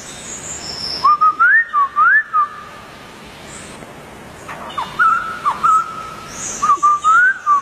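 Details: White-crested Laughingthrush in the wild: two bursts of slurred, rising and falling whistles separated by a few seconds of quiet, plus faint high sounds in the background.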